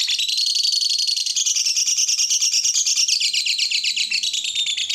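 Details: Lovebird singing, played to get other lovebirds singing: five seconds of steady, fast, buzzy chatter, high trilled notes pulsing several times a second with slight rises and dips in pitch.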